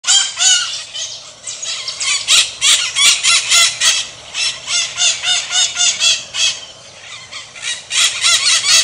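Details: Maritacas, Pionus parrots from Brazil, calling loudly: harsh, shrill squawks repeated rapidly, about three to four per second, overlapping from several birds in a steady noisy chorus.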